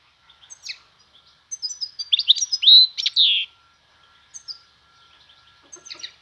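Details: European goldfinch in spring performing the 'vanlı melik' (Van) song style: a dense run of fast, bright twittering notes rising into a long buzzy slurred phrase, then a few soft isolated chirps; constant faint hum underneath.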